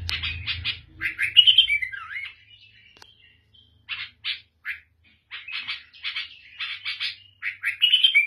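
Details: Lebanese or Syrian black-headed bulbul giving a varied song: quick chattering bursts, a slurred falling whistle, then a pause before more clipped notes and a final rich warbled phrase.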